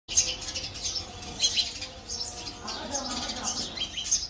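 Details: Male house sparrow chirping: a busy run of short, sharp, high chirps, several overlapping and clustered in bursts, with faint fluttering and light background noise throughout.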